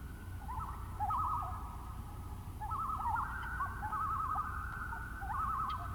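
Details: Common Loon on a misty morning over a marsh in boreal taiga, giving eerie, rapidly quavering phrases that waver in pitch, repeated about every second and a half over a low background rumble.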